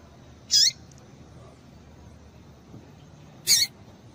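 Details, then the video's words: High, clipped chip notes from a female double-collared seedeater, calling to excite males: two short calls three seconds apart over a quiet, humming background. "Piado de Fêmea de Papa capim Para Esquentar Papa capim"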